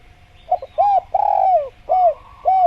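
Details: Spotted dove (tekukur), a masteran recording for prompting doves to call, gives one phrase of soft, rounded coos: a quick stuttered pair, a short arched note, a long sliding coo, then two more hooked notes.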